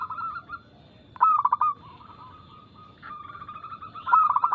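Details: Local zebra dove singing a fast, loud, clear lure song for captive doves. Two sharp bursts of rapid, stuttering coos stand out against a drawn-out, steady cooing from other doves.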